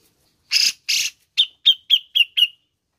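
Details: Grey-cheeked bulbul voice meant to prompt caged birds into song: two broad, harsh rasping notes followed by five quick sharp chirps in a steady row.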